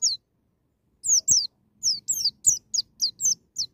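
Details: White-eye in 'ngalas nembak' wild-style song, played to prompt untrained birds to sing: one high downslurred note, a pause, then a lively stream of thin, falling chirps in quick succession with faint low knocks.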